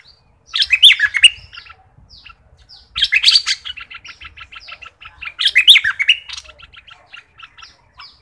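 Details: Thick-billed flowerpecker from southern Thailand, a recording used as a lure: bright chirping, twittering bursts about a second long recur roughly every 2.5 seconds, with softer ticking notes between them.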